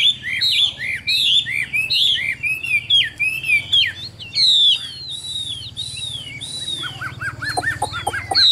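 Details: Caged Chinese hwamei kept in Vietnam and described as a strong singer with a fine voice. It delivers loud, varied whistled phrases that rise and fall, then a run of quick descending notes repeated near the end, over a low background hum.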